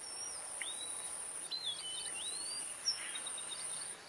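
Thin, high whistled notes from a strawberry finch, sliding up and down in short slurs. A steady high-pitched insect-like whine runs underneath throughout.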